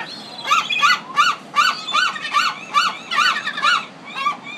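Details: Pacific city gull giving a steady run of about a dozen loud, arched kek-like yelps, roughly two to three per second, strong and close.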